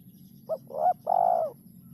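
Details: Spotted dove giving a song with a rhythm said to be very hard to find: one brief coo, a rising two-part coo, then a long steady mellow note, all low and hollow, against a quiet background hum.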